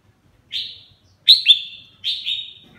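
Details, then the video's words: Captive red-whiskered bulbul singing while bathing: three bright, slurred whistled phrases, each a sharp note sliding down and trailing off, the middle and last phrases doubled, spaced about three-quarters of a second apart against near silence. "Mào má lỡ mào lân vừa tắm vừa hót"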